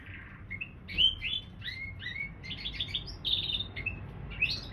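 A canary-bullfinch hybrid sings a rapid run of sweet, high whistles and short trills, some notes sliding upward, over a soft background hiss.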